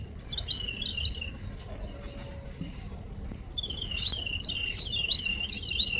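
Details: Small birds as morning visitors, bursts of high, quick twittering chirps, a pause of near quiet, then a busier run of sharp tweets from more than one bird.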